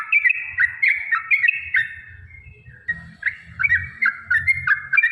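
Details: Rapid lure song of a Yellow-vented bulbul, played so other trucukan will answer: clusters of bright slurred notes in short phrases, separated by brief pauses, over a low rumbling background.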